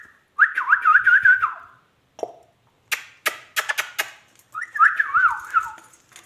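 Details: Ringneck parrot talking: two bursts of wavering, warbled tonal phrases with quick pitch jumps, separated by a run of sharp clicks or taps and a brief low squawk, with quiet gaps between.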